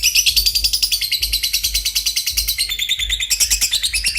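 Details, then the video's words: Lovebird singing: a continuous, very fast chatter of high, scratchy notes throughout, about three per second, with a low hum beneath. "burung Lovebird paling keren dan gacor"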